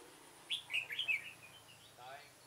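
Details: Decoy red-whiskered bulbul calling wild birds into a trap, 9 September 2017: one short cheerful phrase of four slurred whistled notes, followed by a faint low murmur.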